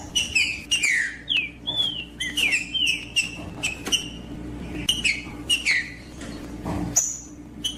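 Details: Green-winged saltator, known as trinca-ferro, singing to warm up a quiet trinca-ferro: a long run of loud, varied whistled phrases with falling slurs and a high thin note near the end, plus clicks and faint hum.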